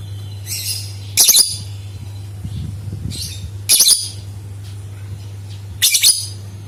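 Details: Lovebird calling as a lure to get other lovebirds singing: three loud, harsh, crackling high-pitched bursts roughly every two to three seconds, with quieter chatter between and a low background hum.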